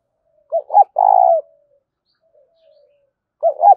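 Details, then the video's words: Rapid 'gáy thúc' cooing of a spotted dove: a double-noted opening followed by one sustained, slightly falling coo, then a fresh double note begins at the end; background otherwise quiet. "Tiếng chim cu gáy thúc cực đỉnh vang cả buôn làng"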